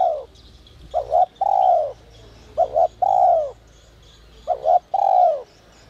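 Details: Whistle-voiced ('giọng còi') spotted dove: the end of one coo, then three phrases, each two short notes followed by a long, mellow, falling coo.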